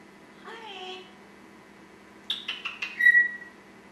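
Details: Pet African Grey Congo parrot in a small room, known for talking and burping: a short gliding, voice-like phrase, silence, then four quick clicking chirps ending in a clear, level whistled note, steady background hum.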